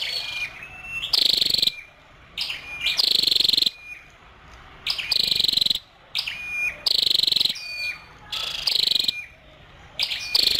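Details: Female scarlet-backed flowerpecker giving high thin calls: short buzzy bursts and clipped whistled notes in irregular groups, with gaps of quiet between phrases, some low background hum.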